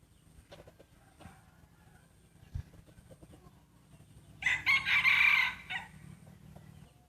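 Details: Breeding rooster crowing during a rooster crowing contest: after a few seconds of quiet rustling and knocks, a loud, high, strained crow bursts out for about a second and a half in several pulses, then stops.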